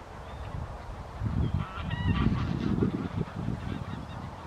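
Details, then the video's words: Tundra bean goose at Wimpole Hall, Cambridgeshire, in December: a few honking calls mid-clip, mixed with low rumbling noise and a faint higher note at the start. "Tundra Bean Goose"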